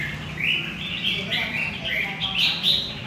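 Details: Central Vietnamese red-whiskered bulbul, a wild-caught adult, delivering a lively string of looping, liquid whistled notes that climb toward the end, with steady low hum behind.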